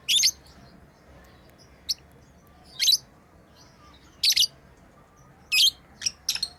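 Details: Pet lovebirds chirping while playing: short, sharp high chirps in separate bursts, roughly every second or so, with brief faint squeaks between them over a quiet background.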